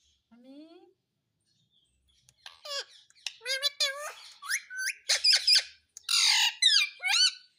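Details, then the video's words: Talking parrot saying "mummy papa" indoors: a soft rising squeak, then a series of harmonic, speech-like syllables growing louder, ending in raspy drawn-out words. "Parrot Speaking Mummy Papa"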